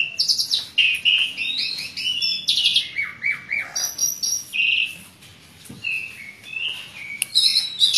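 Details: Singing Asian pied starling with many mixed-in phrases, a lure for silent birds: squeaky whistles and rising-falling slurred notes, harsh bursts, a brief pause mid-way, then renewed chattering.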